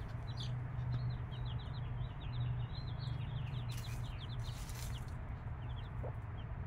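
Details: Five-day-old chicks with their mother hen: rapid, thin, high downslurred peeps run almost nonstop across the clip from several chicks, over a steady low mechanical hum.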